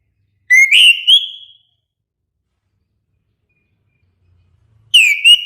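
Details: Melodious orange-headed thrush song: a short whistled, warbling phrase, a long silent pause of several seconds, then a second phrase starting with a downward slur.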